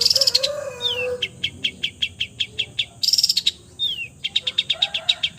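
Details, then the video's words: Mimicking song of a long-tailed shrike. Buzzy trills and descending slurred whistles lead into evenly repeated sharp chips, with a lower steady whistled tone heard in places. "MERDU SUARANYA, BISA MENIRUKAN SEGALA SUARA JENIS BURUNG | CENDET FULL MATERI"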